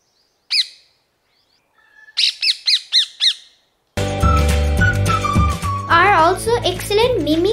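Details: Rose-ringed parakeet (Psittacula krameri) in Sri Lanka gives a single harsh screech, then a quick run of five shrill, down-slurred squawks; music and a man talking follow.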